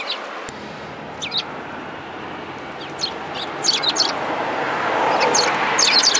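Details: Sparrows gathering to be fed along a Tenmangu shrine's front approach on 4 February 2022; bursts of quick high twittering chirps come in small clusters, growing busier toward the end, against a rising background rumble.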